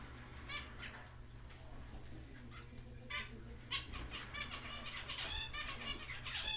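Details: A mother society finch protecting her two nestlings gives short, high chirps and clicks at an uneven pace, among rustling of wings and a steady low hum.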